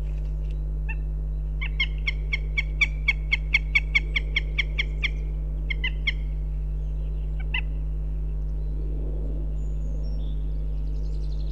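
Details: Goshawks at a nest in Riga, Latvia, during a day of calling and mating, with the female resuming her nest presence. A loud, evenly spaced chattering run of about a dozen sharp nasal notes, then a few scattered ones, over a steady low hum.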